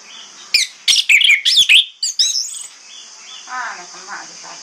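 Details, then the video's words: Orange-headed thrush singing in the morning as a lure so other thrushes answer; a dense burst of sharp, scratchy whistled notes, followed by softer low chattering sounds and background hiss. "PANCINGAN ANIS MERAH PAGI HARI|| ANIS MERAH LAIN AUTO NYAUT"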